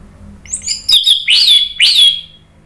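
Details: Lure song of an orange-headed thrush meant to draw answers from other birds: three loud, rich whistled phrases, each sliding downward, delivered in quick succession.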